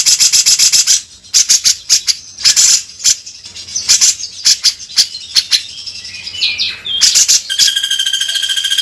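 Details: Rough beset kasar singing of a grey-cheeked bulbul: dense harsh rasping bursts, a slurred whistle, then a sustained high whistled note at the end.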